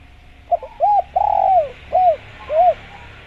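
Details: Spotted dove (tekukur) training call: a brief stutter, an arched coo, a long descending coo, then two separate arched coos spaced about half a second apart, soft and low against a quiet background.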